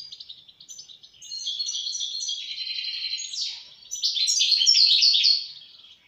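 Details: European goldfinch in continuous song: a sequence of sweet, high twittered phrases with quick upward and downward slurs, growing louder and busier toward the end before tailing off.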